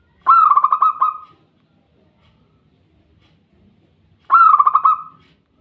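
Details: Perkutut, the zebra dove, calling twice: each phrase a fast, evenly pitched run of around eight throbbing coo pulses lasting about a second, separated by a quiet gap of some three seconds.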